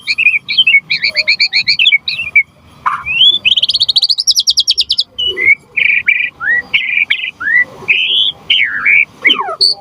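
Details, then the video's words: White-rumped shama singing as lure and tutor for other shamas: rapid stuttering trills, a fast rising rattle, then clear looping whistles and slurred notes in quick succession. "Suara Murai Batu Gacor Biar cepat BUNYI Auto NYAUT buat Pancingan & Masteran Burung Murai"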